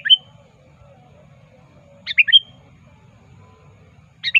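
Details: Lure call of a sooty-headed bulbul challenging a rival: quick bubbly two- and three-note phrases with a drawn-out whistled ending, spaced about two seconds apart, low hum beneath.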